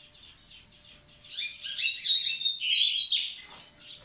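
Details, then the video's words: Double-collared seedeater singing to prepare the females: a fast, twittering run of high chips that swells after one and a half seconds into louder buzzy, warbled notes and slurred whistles, then fades back to soft chatter. "Coleiro Massai cantando pra aprontar as fêmeas!!!"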